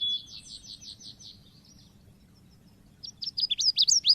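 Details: Pancingan lure sound for Oriental white-eye: a fading series of buzzy, slightly falling high notes, a quiet gap, then an energetic burst of sharp, jumping, high-pitched chips that grows louder at the close.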